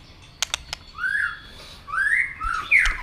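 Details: White-rumped shama prompted to fight-sing: a few sharp clicks, then soft, drawn-out slurred whistles rising and falling over low background noise.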